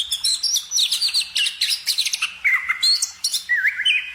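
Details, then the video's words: A bird's lively, continuous song of rapid varied chirps, quick downslurred whistles and twittering trills, falling into lower rising and falling whistled phrases toward the end; no other clear sounds. "kicau burung"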